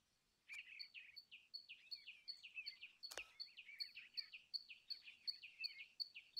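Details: Common tailorbird repeating a sharp, high, down-slurred note about every third of a second, steady and insistent, with another bird's softer twittering woven underneath and one loud click midway.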